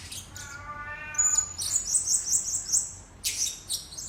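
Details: Blue-crowned hanging parrot lure sound to draw in birds: a brief lower harmonic tone, then a long run of very high, thin twittering notes followed by buzzy chirps.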